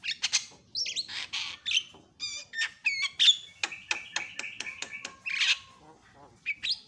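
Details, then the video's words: Javan myna (jalak kebo) becoming noisy in response to a lure. The sound is a jumble of harsh chirps, clicking ticks and squeaky whistles, irregular in rhythm, with one long steady whistled tone in the middle. "JALAK KEBO LANGSUNG BERISIK"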